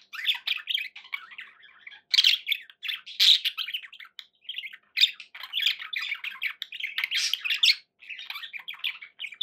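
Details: Several budgies kept as pets give a long stretch of raspy, squawking chatter mixed with warbles, broken by short gaps of quiet.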